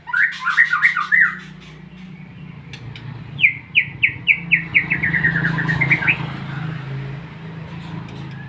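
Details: White-rumped shama singing ngeplong style over a steady low hum, with a short burst of bright whistles followed by an evenly spaced run of about twelve sharp, downslurred notes that quicken and rise at the end.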